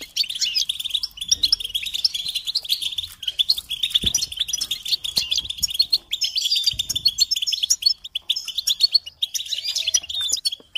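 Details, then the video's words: Sustained goldfinch song meant to motivate songbirds: rapid, tinkling twitters and buzzy chirps run almost without break, occasional higher squeaky notes on top, and faint low knocks in the background. "Encouragement to motivate and support goldfinches in songs"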